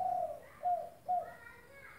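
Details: Spotted dove giving a gacor coo: a low coo followed by two short, slightly downslurred coos about half a second apart, soft background hiss.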